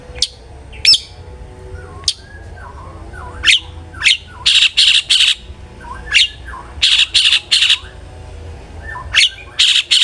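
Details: Long-tailed shrike song meant to prompt other shrikes to sing: scattered sharp notes and short whistles, then repeated loud harsh rasping bursts in groups of two or three.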